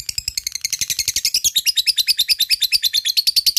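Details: Lovebird of fighter type giving a long ngekek to prompt other lovebirds: quick, high rattling chatter of dense notes throughout, shifting to slightly lower, more tonal notes midway.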